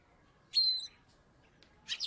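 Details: Oriental magpie-robin from Salatiga, a former third-place contest bird, gives a loud, clear whistle held level and slightly falling, then after a pause a short burst of harsh, buzzy notes.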